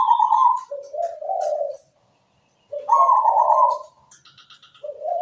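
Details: Zebra dove (perkutut) cooing: a high trembling note, then lower rolling coos, a pause, and the same phrase again, ending with another low rolling start; faint chirps in the background.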